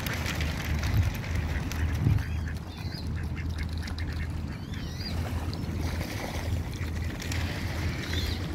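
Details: Pond ducks guarding their young call in short harsh quacks scattered through the clip, a few louder ones near the start, with a steady low rumble of background noise.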